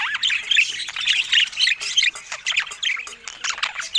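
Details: Budgies eating fruit: a fast, twittering warble of high looping chirps and squeaks, in bursts about every half second, opening with a rising whistled note.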